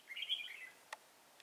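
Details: Red-whiskered bulbul at a trapping site in Thái Nguyên, Vietnam, 13 August 2018, with a decoy bird used to lure an old wild bird: one quick warbled, twisting phrase of bright notes, then a few sharp clicks in a quiet setting.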